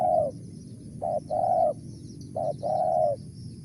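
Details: Spotted dove giving a mersik-style call: a trailing coo, then two pairs of a brief note followed by a longer, level, hollow coo, evenly spaced.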